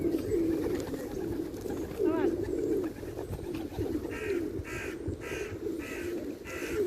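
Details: Several pigeons cooing in low, rolling, nearly continuous phrases, joined midway by a series of harsh, regularly spaced caws from another bird.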